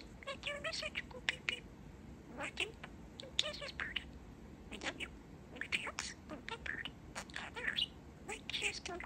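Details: Young male pet budgie chatting and sharing new phrases: rapid, scratchy speech-like bursts and brief squeaky notes in clusters separated by short pauses, with no other sounds.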